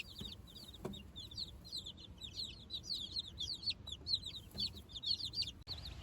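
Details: Chicks four days old, out on fresh grass with the hen for the first time; clear rising-falling high cheeps, about two a second, overlapping from several birds, with a faint low thump early on.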